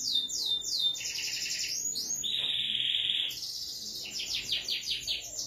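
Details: Canary in full song: fast repeated swooping notes, then a long steady buzzy trill lasting about a second, followed by quick rhythmic chirps, clear and high-pitched.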